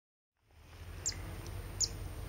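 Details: Zitting cisticola at Pian di Spagna–Lago di Mezzola nature reserve, Italy, 28 August 2016: two sharp, very high 'zit' notes about three-quarters of a second apart, over a low rumble of wind and a faint steady high hiss.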